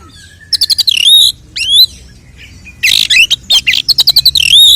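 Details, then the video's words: Provocative fighting song of the oriental magpie-robin, meant to make males spread their tails: rapid clicking note series and clear upslurred whistles, with a harsh burst in the middle and a final rising whistle. "Kacer gacor 🔥TARUNG KONSLET nembak BUKA EKOR pancingan efektif UNTUK mendongkrak EMOSI burung KACER"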